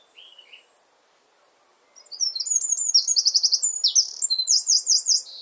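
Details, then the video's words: Eurasian wren singing in a garden near its hidden nest: a brief thin opening note, a pause, then a loud rapid burst of high trills and chattering phrases ending in a run of repeated sweeping notes. "WREN BIRD SONG"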